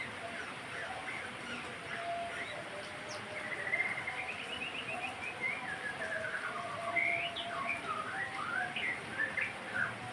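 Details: White-rumped shama singing to stimulate other birds to sing, a long varied run of rapid whistled trills and descending slurred phrases that swell in the middle and continue to the end, with faint background hiss.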